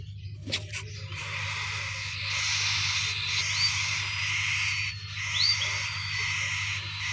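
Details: Four cockatiel chicks in a nest box, fed by their breeder-pair parents, give a steady, raspy, hissing begging chorus with a few brief squeaky chirps; late August 2025.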